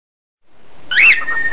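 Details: Pet cockatiel, one of a set of its various calls: a single brief harmonic call that sweeps up and then falls back, bright and slightly squawky, lasting about half a second after near silence.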